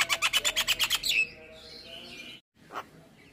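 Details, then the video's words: Javan myna (jalak kebo) delivering a rapid run of about ten harsh, evenly spaced chattering notes, then a drawn-out buzzy whistled note, a short silence and one final harsh chack. "Suara Jalak kebo Full isian"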